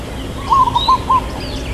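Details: Local zebra dove with a long 'kuk' in the 'irama lelah' (tired rhythm) song style, giving a brisk run of about five short, low, evenly pitched cooing notes within a second, faint bird chirps behind.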